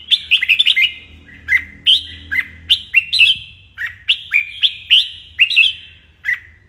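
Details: Red-whiskered bulbul morning training song meant to excite young birds into fighting song. A rapid opening flurry, then evenly spaced clear whistles, each falling to a lower slurred tail, about two per second, with faint low background hum.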